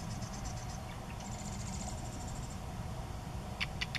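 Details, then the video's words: Marsh wren singing at Sacramento National Wildlife Refuge: a few stuttered opening notes, then a rapid, dry trill of high, evenly repeated notes over a steady low rumble of wind or background noise. "Marsh Wren singing"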